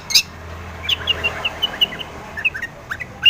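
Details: Long-tailed shrike singing energetically as a lure to provoke other shrikes into answering: a loose run of short high chirps and slurred whistles after an opening harsh burst, with faint low background hum.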